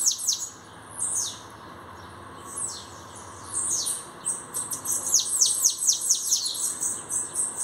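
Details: Bananaquit, newly arrived and singing, opens with a few isolated high hissing sweeps, then breaks into a long, rapid, twittering run of sharply falling, wheezy notes over a soft steady hum.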